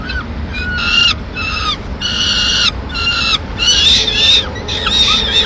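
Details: A female peregrine falcon in Madrid arrives mid-morning with pigeon remains, giving harsh, grating, high-pitched calls in quick half-second bursts, about eight in five seconds, over a low steady background rumble.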